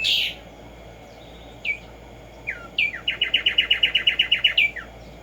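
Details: Black-striped sparrow (Arremonops conirostris), also called tico tico, singing in nature in the morning: scattered downslurred whistles build into an even, rapid trill of about a dozen bright notes, ending with a falling whistle.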